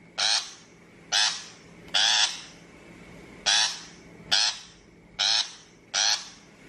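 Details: Shrike call recording for use as a bird-trapping lure: seven loud, grating, noisy notes of about a quarter second each, repeated roughly once a second at a slightly uneven pace, with a low constant hum underneath.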